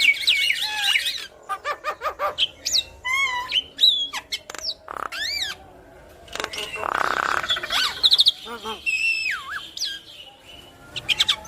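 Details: Yellow-eyed black-winged myna singing energetically while bobbing its head: a varied medley of high slurred whistles, sharp clicks and upward sweeps, broken by a harsh raspy burst around the middle and more whistles toward the end.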